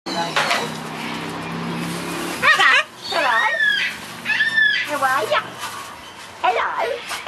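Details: Talking macaw, one of two captive-bred young macaws (a three-year-old blue and gold and a two-year-old greenwing) kept at a bird sanctuary while playing, repeating a greeting of 'hola' and 'hello' in bright, warbling, parrot-pitched speech-like phrases.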